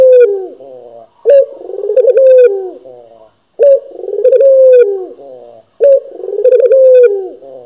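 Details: Chatty local puter dove (Barbary dove) from Indonesia repeating rich, low rolling coos. Each phrase begins with a crisp accented note, swells into a long vibrating purr, then fades downward. Three phrases come in quick succession, clean and close.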